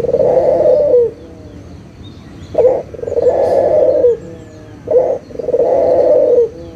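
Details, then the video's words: Local puter dove cooing, played to coax silent doves into calling: three long trilling coos that dip at the end, with short sharp notes leading into the later ones. "SUARA PIKAT PUTER LOKAL GACOR_SUARA PANCINGAN BURUNG PUTER MALAS BUNYI AGAR BUNYI LAGI"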